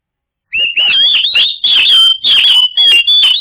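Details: Oriental magpie-robin singing, used as a lure to get silent birds to sing back: a continuous, loud, energetic run of rich whistled phrases with upslurred and downslurred notes interspersed with raspy chatter, without background sounds.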